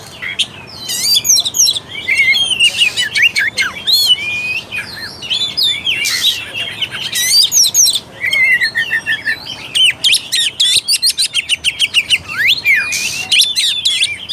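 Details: Kacer, the Oriental magpie-robin, in a long lure song meant to stir arousal and fighting spirit: a rich mix of slurred whistles, harsh buzzy bursts and rapid chattering note trains, barely pausing.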